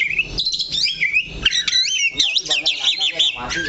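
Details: The kacer (Oriental magpie-robin) stays planted on one perch spot while singing clear wavy whistles and quick warbled phrases in short bursts.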